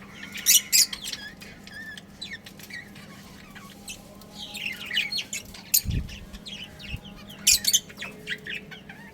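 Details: Budgerigars in a colony chirping, a dense scatter of short high chirps and squeaky notes with a steady low hum behind and a brief thump near the middle.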